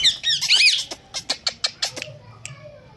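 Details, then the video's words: Pet Indian green ringneck parakeet, a talking parrot, gives a quick burst of shrill, squeaky rising-and-falling squawks, then a string of sharp clicks and a faint late chirp. "Indian Green Ringneck Talking Parrot talking good || mitho put,meow,Dancing and wistling very well"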